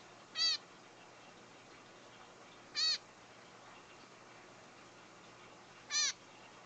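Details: Hand-raised baby zebra finch, pushed out of the nest by its parents, gives three brief, high, nasal squeaks spaced a few seconds apart; it squeaks when it wants to be held.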